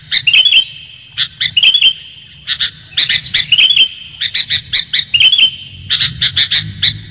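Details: Bird-luring recording of a sooty-headed bulbul, clean and loud: groups of two or three bright chirps broken by bubbly warbled notes, recurring at irregular intervals, with a continuous high tone underneath.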